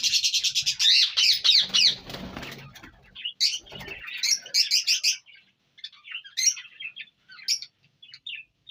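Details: Indian ringneck parrot in Punjab, Pakistan: rapid harsh screeching notes, a burst of wing flapping, then more clusters of raspy squawks trailing into scattered soft chatter.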